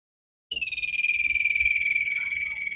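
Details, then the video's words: Common iora, recorded for training cage birds, gives a sustained rapid trill of whistled notes that slowly drops in pitch, with faint low background rumble beneath. "Burung cipow sirtu masteran Gacorrr banget"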